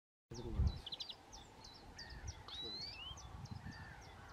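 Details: Eurasian nuthatch giving short, sharp high notes repeated in quick bursts, mixed with thin rising whistles, over a low background rumble and a brief thump near the start.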